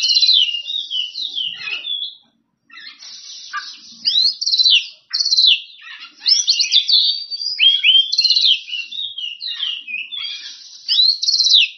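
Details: Oriental magpie-robin singing hard to challenge rivals and set other magpie-robins answering: dense bursts of sweet whistles, swoops and harsh buzzy trills, broken by one short pause near two seconds.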